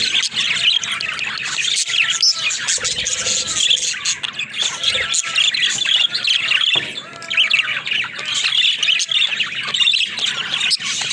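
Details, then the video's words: Pet budgerigars in their daily life warble and chatter continuously, high chirps layered with scratchy squawks, a few softer lower whistled slurs, and short quieter gaps between busy passages. "Funny Talking Budgies"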